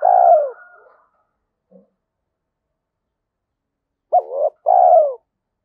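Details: Spotted dove with a 'giọng thổ' voice in the Thúc Đấu style, suited to forest trapping: the tail of a falling coo opens, a soft faint note follows, then after a silence a clipped double hoot and a long sliding coo.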